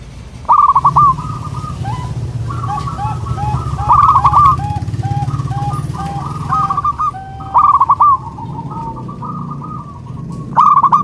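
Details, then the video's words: Local zebra dove song intended to provoke answering birds: bursts of quick trilled coos separated by runs of softer evenly spaced notes, continuing through the recording over a low rumbling hum. "Sudah di buktikan dengan suara ini, burung perkutut lokal langsung nyaut jadi rame"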